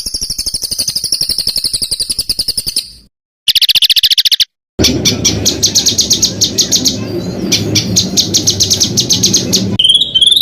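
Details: Songbird on a masteran recording meant to train competition cage birds. Fast, ringing high trills come in several spliced sections. A lower, rougher, buzzing rattle runs under the middle part, and a few clear rising whistles close the clip.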